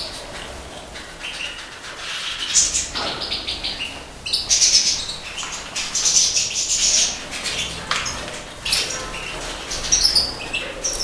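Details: Breeding pair stock of European goldfinch, major subspecies, caged in the 2012 season, sings in lively bursts of high, tinkling, buzzy twitters separated by short quieter gaps, with occasional wing flutters nearby.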